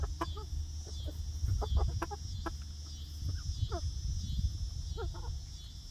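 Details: First day for a new flock of young laying hens in a backyard outdoor run; soft clucks and short bent chirps scattered through the clip, partly masked by a strong low rumble.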